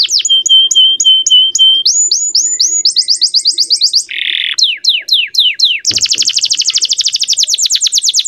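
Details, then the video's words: Male canary singing as a tutor for young birds: a held whistle with short chips, rising repeated notes, a brief buzzy burst, several falling sweeps, then a very fast continuous rattling trill. "MASTERAN BURUNG KENARI PAUD AGAR CEPAT BUNYI DAN GACOR - kenari jantan gacor jernih"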